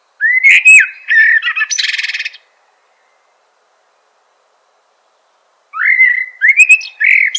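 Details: Common blackbird: two bursts of fluting warbled notes separated by several seconds of silence, the first ending in a rapid scratchy rattle.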